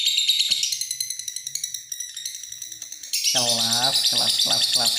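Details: Lovebird giving long ngekek: steady, fast shrill chattering trill for three seconds, then a louder dense burst overlaid by a lower, harmonic, wavering sound.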